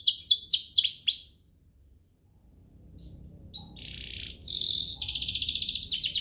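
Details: Canary song with rich, varied phrasing, used to tutor young canaries and stir others into singing: fast descending sweeping notes for over a second, a silent pause, then a buzzy burst and a long, high, rapid rattling trill.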